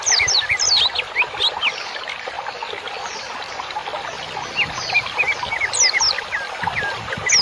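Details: Training song for cage birds, used as bird therapy: many overlapping high chirps and downslurred whistles, some short upward notes, heard against a continuous babbling stream.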